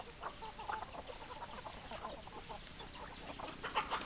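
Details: Several hens cluck quietly and continuously, short low notes overlapping in a busy flock chorus, with a slightly louder cluster of clucks near the end.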